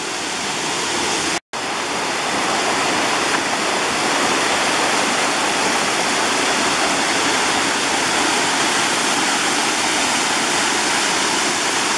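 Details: Steady roar of rushing water, like a waterfall, with a brief dropout near the start and no animal calls.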